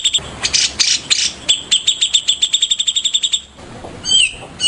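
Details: Harsh buzzy notes from a white-rumped shama in the morning lead into a fast, accelerating rattle of sharp ticks, followed by a pause and a brief slurred, descending whistle.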